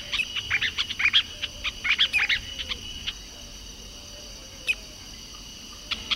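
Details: Masked water tyrant song: two short bursts of crisp, buzzy chirps in the first two seconds. Then a few scattered single notes follow over a quiet, humming background.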